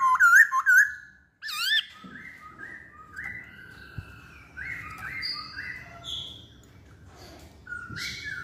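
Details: Masked laughingthrush in full song: two loud, ringing, looping whistles and a wavering trill open, then softer overlapping whistled phrases from other birds continue over faint low hum.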